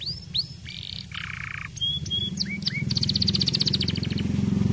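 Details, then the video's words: Gacor canary in vigorous full song, offered as a lure to stimulate other canaries to sing and come into breeding condition: rising whistled upsweeps, buzzy trill blocks, then a rapid run of high repeated notes over a steady low pulsing rumble. "Kenari gacor cocok"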